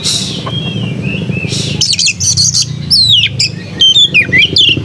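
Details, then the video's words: Melodious Oriental magpie-robin song: a soft hissing note, then chattering bursts and a run of sharp whistles that sweep steeply down and up, over a low background rumble. "Burung kacer bersuara merdu"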